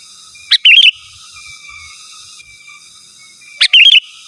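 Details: Sooty-headed bulbul in full, energetic song, calling rivals; the recording is used to lure wild birds and to tutor caged birds. Two loud bursts of bubbly, warbled notes come about three seconds apart, with a quiet pause between.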